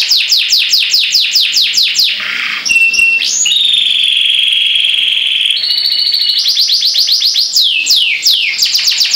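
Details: Long canary song: rapid repeated downslurred notes, a long sustained buzzy whistle held for several seconds, then another fast run of repeated sweeping notes.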